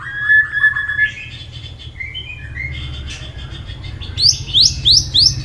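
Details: White-rumped shama singing competitively with many varied voices: clear whistled notes near the start, a soft warbling middle, then four sharp descending whistles repeated quickly at the end over a low hum.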